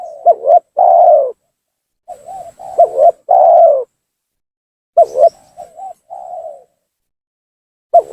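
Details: Spotted dove lure calling to provoke rival doves into descending: three phrases about two seconds apart, each with sharp accented notes and a loud, full, downward coo, the last ending in softer trailing coos; a high faint tone persists.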